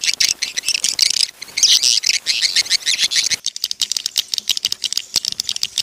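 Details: Swiftlet lure call meant to draw birds into a swiftlet house: about three seconds of harsh, buzzing, high chatter, then a run of quick dry clicks and ticks.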